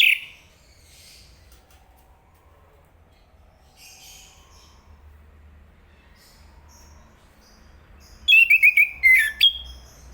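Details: After a brief whistle and long near-silence with faint soft notes, a chestnut-capped thrush (Zoothera interpres) delivers a quick run of five or six bright, rising and falling whistled notes.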